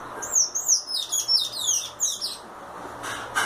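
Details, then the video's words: Sayaca tanager singing, sung in the style called violino: a rapid run of high, thin squeaky notes with downward and upward slurs, delivered over about two and a half seconds, followed by soft faint sounds and low steady background hum. "SANHAÇO CANTO VIOLINO"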